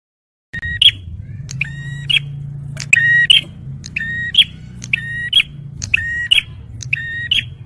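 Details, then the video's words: Male bar-winged prinia song used for luring birds: sharp, buzzy two-part phrases, a lower tone jumping to a higher, ringing note, repeated roughly once a second, about nine times, over a steady low hum. "TEMBAKAN PRENJAK MERAH JANTAN || CIBLEK SUPER GACOR"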